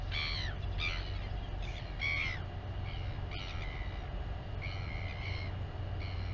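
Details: At a royal albatross colony on Taiaroa Head near Dunedin, New Zealand, a mother feeds her chick; repeated harsh, nasal squawks with stacked harmonics come in short clusters every second or so, backed by constant wind roar.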